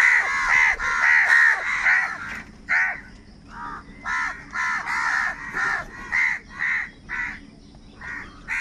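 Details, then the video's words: A rapid, insistent series of hoarse crow caws, about a dozen short harsh notes spaced roughly half a second apart, from crows fighting for food. "Crow sound of kaka - Kaka sound and noises of crow birds | Different kauwa ki awaz"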